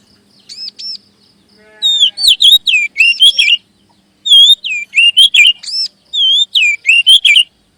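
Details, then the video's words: Prompting song of a magpie robin, meant to spur settled and young speckled birds to sing. Bursts of sweet whistled and slurred notes come in three bouts separated by pauses. Soft arched chirps sound faintly before the first bout. "SUARA PANCINGAN BURUNG KACER AGAR CEPAT BUNYI DAN GACOR"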